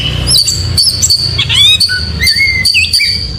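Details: In the morning an oriental magpie-robin sings clear whistled notes, some long and rising, over a steady high tone and a constant low rumble, with a brief trill in the middle.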